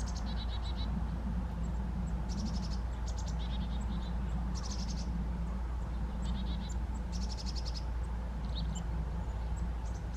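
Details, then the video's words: Chickadee recorded between August and October 2020 while foraging in trees: short bursts of rapid high stuttering notes in quick clusters, spaced irregularly, over a strong steady low hum. "Chickadee - Great Singer"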